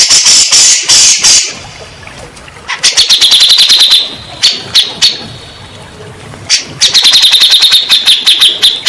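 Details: Grey-cheeked bulbul song played as therapy to make stressed or silent birds answer; harsh broadband bursts, then fast runs of sharp chattering notes, roughly three to four per second, in several bouts separated by short pauses.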